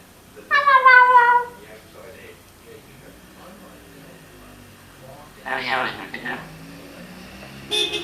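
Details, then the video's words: Eclectus parrot, a talking 5-year-old that mimics household sounds, gives a loud, harmonic-rich vocalization, then a rougher, buzzy burst a few seconds later, with a brief sharp sound at the end. "Eclectus Parrot Talking"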